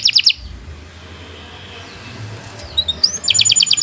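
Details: Canary song used as a training recording for young birds; a high rapid trill opens, a quiet noisy gap follows, then a thin rising whistle and another bright fast trill close.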